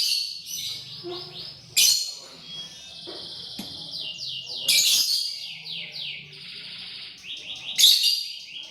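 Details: Lovebird chirping while eating corn: bright, high chirps in quick descending runs, with louder sharp bursts near two, five and eight seconds and a faint low rumble beneath.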